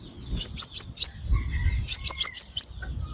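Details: Crimson sunbird lure call for trapping: a group of four sharp, high chirps, a brief pause, then five more evenly spaced piercing notes over a quiet low hum.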